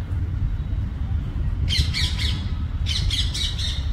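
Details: In hot summer, a bulbul gathering nest material gives two bursts of harsh, chattering squawks, three or four notes each, over a steady low rumble of background noise.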